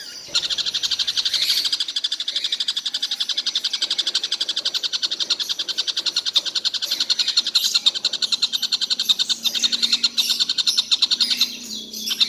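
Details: Collared kingfisher calling all day without stopping: a fast, steady run of harsh, buzzy notes, about four each second, carrying on for the whole stretch, with a short faltering near the end.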